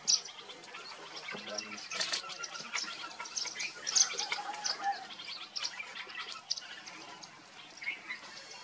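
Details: Indian silverbill, also called white-throated munia, recorded at Daroji Nature Camp near Hampi, Karnataka, India, in November 2023; thin, high chirps and short twittering notes overlap irregularly, suggesting several birds calling together, over faint outdoor background.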